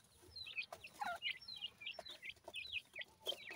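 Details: Several francolin (teetar) chicks peeping: quick, thin, high chirps, many with bent or downward-sliding notes, given in rapid overlapping bursts.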